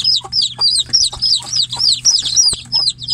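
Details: Caged chicks crying for their mother hen, who stands outside the cage; loud, piercing downward-sliding peeps in quick bursts, several voices overlapping, about three calls a second.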